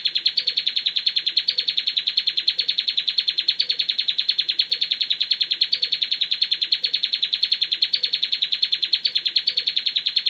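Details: Bar-winged prinia master song for training birds, an unbroken, rapid, high trill of evenly pulsed chirping notes running continuously throughout.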